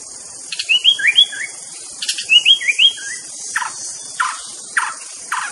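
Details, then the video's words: White-rumped shama in the wild giving two quick bursts of looping whistled notes, followed by four softer separate chirps about half a second apart, with steady insect hiss behind. "TERAPI BURUNG MURAI DI ALAM LIAR"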